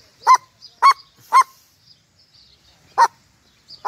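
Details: A red-legged seriema calls: loud, sharp, dog-like yelps, three about half a second apart, then a pause before two more; faint high chirps from other birds in the background.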